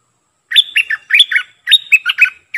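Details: Streak-eared bulbul kept as a decoy bird, singing bursts of bubbly, chattering notes in two quick phrases, each a run of four to five short slurred syllables, with a short pause between them and no other sounds.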